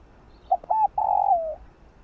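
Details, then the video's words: A spotted dove coos once in the morning, as a lure for wild doves: a short low note, a brief arched note, then an extended mellow coo sliding gently down. The background is calm. "Cu Gáyg Kích Bổi Buổi Sáng Mau Nổi . Cu Đất Gáy. cu cườm"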